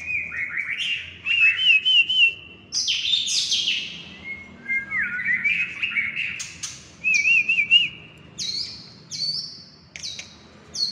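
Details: White-rumped shama in Indonesia, a prospect bird being readied for song contests, sings varied high phrases of rich whistles, quick warbled trills and sharp chips, separated by short pauses; no other sounds are heard.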